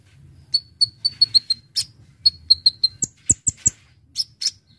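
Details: High, thin whistled notes from a Brown-throated sunbird repeat in quick series, mixed with clicking chips and short buzzy bursts; the recording serves to lure birds.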